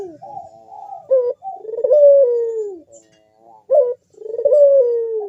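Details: Collared dove (puter) delivering its big bekur song as a singing lure: a soft wavering lead-in, then a sharp accented note and a long sliding coo that drops slowly in pitch, heard twice.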